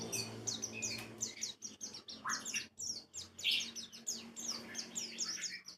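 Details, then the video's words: White-eye lure song in ngalas style: quick high chirping notes partly buried in hissing broadband noise and a low hum, with a lower scratchy note near the middle. "PANCINGAN PLECI BAHAN JANATAN PASTI BUKPAR,NGALAS,WIKSAR"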